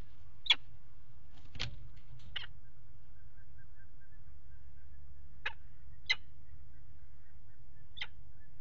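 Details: Peregrine falcons at a nest box on the water tower at Axel, 5 February 2018, mating on the nest ledge: a few harsh, sharp calls scattered over several seconds over a steady low hum.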